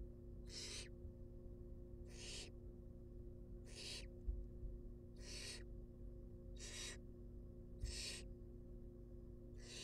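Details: Wild baby barn owls at a research nest box keep up a series of seven rasping, snore-like hisses across ten seconds while being fed, with occasional faint thumps and a steady hum.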